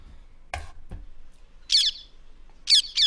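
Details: Non-native rose-ringed (ring-necked) parakeet in Tower Hamlets Cemetery Park, London, giving harsh, high-pitched screeching bursts, three in quick succession about a second apart, after two dull knocks; they scream mostly while flying.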